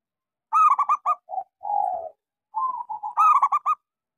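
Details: Local Indonesian zebra dove, a frequent singer with a small voice, used as a lure to get silent doves singing: two bright, rapid staccato cooing bursts framing softer, drawn-out lower coos, in a quiet setting.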